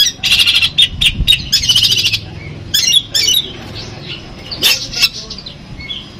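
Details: Pamekasan long-tailed shrike from Madura, kept as a songbird, in Armagedon material: dense grating chatter and buzzy rattles, then scattered high squeaky notes with quiet gaps and faint low background noise.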